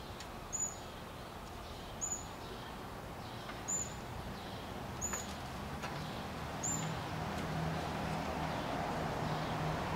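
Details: A female fledgling on her first day out of the nest, peeping after hours without being fed: thin, high single peeps roughly every one and a half seconds, faint against steady broadband background noise.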